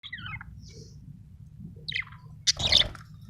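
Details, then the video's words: A happy budgerigar gives a few scattered chirps, a descending rasp at the start and a louder harsh burst near the end, over a steady low hum. "happy budgie chirping sound"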